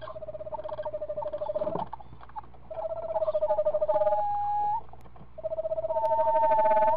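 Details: Screech owls at a nest with a week-old owlet give soft, even, rapidly pulsed trills on one pitch; a second, slightly higher trill overlaps the first, over a faint low hum.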